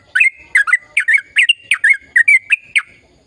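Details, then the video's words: Rapid, lively sooty-headed bulbul song of the long-run gacor type, played to rouse silent birds: paired liquid chirps repeated about every half second with a steady whistle-like tone behind them, fading out at the end. "Suara Burung Trucukan Gacor Ropel Panjang Perangsang trucukan bisu biar aktif bunyi"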